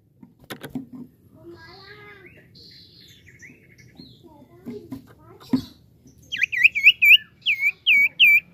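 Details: Actively singing common iora, played to get other birds singing: scattered soft warbles and whistles at first, then a loud, evenly spaced series of about eight sharp, swooping chirps near the end, over faint low background noise.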